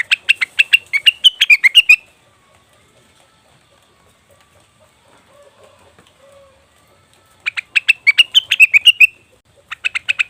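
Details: Leafbird (cucak wilis/rengganis) lure call: rapid bursts of bright, chirping notes, about two seconds each, separated by a long near-silent gap with faint low murmurs, then resuming in further quick chirpy bursts.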